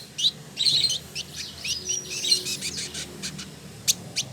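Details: Actively singing male Village indigobird, a tutor bird from Bandung, West Java, Indonesia. It gives a jumbled stream of high chirps and clicks with a few short thin whistles mixed in, and the notes come unevenly.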